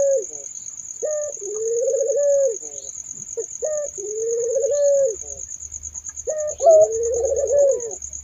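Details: Turtle dove cooing three times, each a quick note then a long wavering coo, with faint low hum near the end and a continuous high insect trill.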